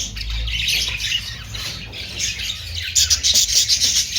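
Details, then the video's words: Budgerigars, called Australian parrots, chattering in a steady, dense warble of high scratchy notes with a low background rumble; sharper, louder chirps burst in during the last second and a half. "Austrailian perrot sound"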